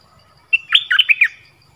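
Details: A bird known locally in Thai as nok dok taeng, singing one of its several song phrases: a short burst of slurred, chirpy notes lasting under a second, rising and falling quickly in a bright, fairly high register.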